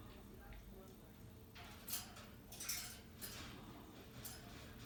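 An African grey parrot gives four short, harsh, breathy coughs about a second apart, mimicking a human cough, with faint household clatter around them.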